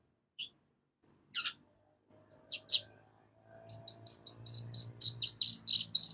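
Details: Long-tailed shrike song building from isolated sharp chips into a fast, accelerating run of high buzzy notes with a faint low hum beneath.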